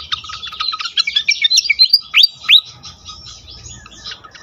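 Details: Pied fantail singing in a lure recording for other fantails: rapid chattering chirps rising into several bright up-slurred whistles, then softer scattered notes fading out over a faint low hum.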